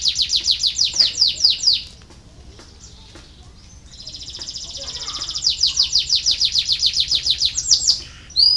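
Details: Canary song used to stimulate lazy canaries to sing: rapid repeated high descending notes in a trill, a pause with a buzzy rolling phrase, then another fast trill of sweeping notes.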